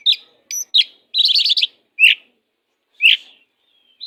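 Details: Aggressive kacer, an oriental magpie-robin used as training song for weaker birds, gives separate sharp whistled chips, a buzzy rapid trill, then isolated loud downslurred notes spaced by silences, ending with a brief thin whistle.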